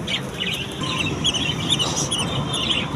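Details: Colony of budgerigars giving continuous warbling chirps and short squeaky notes, several birds overlapping, over a constant low background hum.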